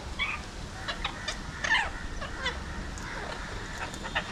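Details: Alexandrine parakeets seen from a window in Mumbai, India, making scattered short, raspy squawks, with one louder burst near the middle, over a steady low city hum.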